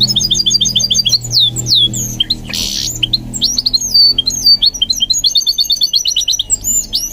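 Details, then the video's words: High, lively goldfinch mule song from a bird being taught to sing, with looping upswept whistles, quick repeated chirps and a short harsh buzz midway, all over a faint low drone. "What I Learned from Training My GOLDFINCH Mule to Sing"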